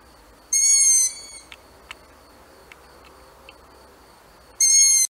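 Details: Two harsh half-second screeches from a barn owl, about four seconds apart, with a few faint clicks and taps in the quiet gap between them.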